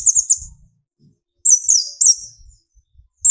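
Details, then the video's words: Sunbird (kolibri ninja), from young speckled to full metallic, singing as a lure to make other birds sing: brief clusters of shrill, very high, slurred notes broken by silent gaps and faint low taps. "burung konin gacor pancing tembakan konin"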